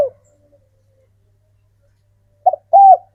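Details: Captive local spotted dove male calling to attract females: brief coo at start, silence, then a clipped note and a steady coo.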